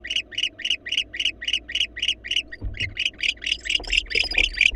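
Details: Wild male barn owl in a nest box meeting a female, showing excitement and anxiety; a rapid series of short, rasping chittering notes, about three or four per second, growing louder and more jumbled toward the end, with a thump and rustling.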